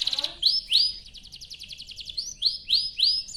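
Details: Canary singing to prompt other canaries to answer: a quick trill, then loud rising swept whistles alternating with fast buzzy rattles, all high-pitched.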